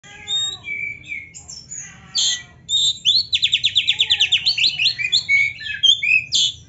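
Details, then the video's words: Oriental magpie-robin, a training song recording with rich fill-in phrases: scattered whistles and slurred notes, then a fast run of about fifteen buzzy rising chirps, ending in bright varied phrases. "KACER GACOR MASTERAN KACER ISIAN MEWAH"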